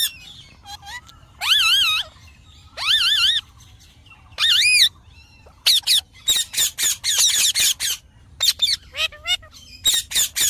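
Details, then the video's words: Green parrot calling: harsh, wavering squawks with strongly rippling tones, then a fast run of short, sharp, high screeches and chirps. Near-continuous outbursts. "Mithu Ki Awaj"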